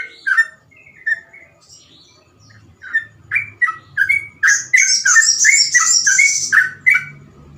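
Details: Trucukan (sooty-headed bulbul) in ropel song used to prompt or train other birds: soft scattered notes at first, then a quickening series of bright bending whistles overlaid by a continuous high buzzy twitter, with a low rumble underneath.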